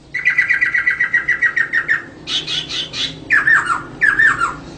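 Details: Female poksay (laughingthrush) singing to spur males into song: a fast, evenly repeated series of chattering notes, a harsh high burst, then two loud slurred phrases.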